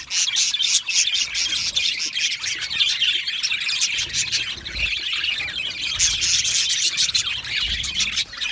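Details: Australian budgies in a colony, chirping while happy and comfortable: a dense, continuous mass of high, scratchy chirps and warbles from many birds at once, with quick sharp clicks scattered throughout and no pauses.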